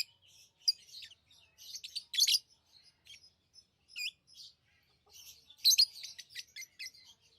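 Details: Lovebirds chirping: bursts of shrill, high, scratchy chirps and short squeaky notes come in irregular clusters, with brief quiet gaps between them and no other sounds.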